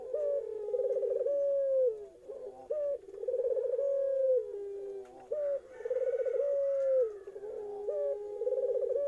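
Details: Puter irak, a young dove, cooing close up in full, warbling low coos, each phrase opening with a short clipped note before a long quavering hold and falling tail, repeated steadily.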